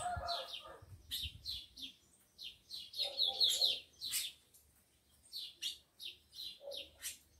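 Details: Aroused tico-tico males, kept in captivity with females; steady series of bright high chirps about twice a second, with a buzzy lower call now and then.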